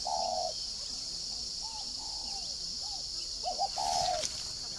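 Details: Whistle-voiced decoy spotted dove (giọng còi) opening with a long mellow coo, then a series of soft short coos and another stuttered phrase, over steady high insect buzzing and a brief rustle near the end.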